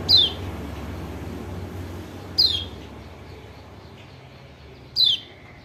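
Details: Lure call of the kecial kuning white-eye from Lombok, played to make a reluctant bird answer: three sharp, downward-slurred whistles spaced about two and a half seconds apart over low steady hum.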